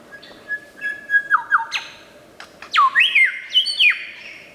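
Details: Lyrebird sounds of loud whistled notes that step up and down in pitch, with sudden sharp downward swoops and bright clicks. Short phrases come in quick bursts, then a pause, then a busier run of stepped whistles.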